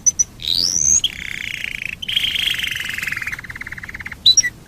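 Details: Domestic canary song used to lure other canaries into singing: high chips, a rising whistle, then a long warbling trill that breaks into rapid pulses.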